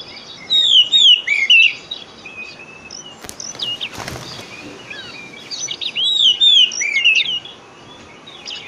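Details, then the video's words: Oriental magpie-robin lure song played to get a bird that has stopped singing to sing again: two bursts of varied, looping whistles separated by a quiet stretch, with clicks and rustling noise in the gap. "Pancingan Kacer Full 1 Jam Untuk Terapi Kacer Macet Bunyi,Kacer Lemot,Kacer Bahan"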